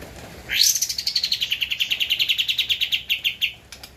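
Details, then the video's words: Javan white-eye used as a training master for cage birds: a sharp rising sweep opens into a long run of about twenty quick, pulsed notes that slowly drop in pitch over three seconds. "Kapas Tembak Gacor untuk Masteran (suara asli)"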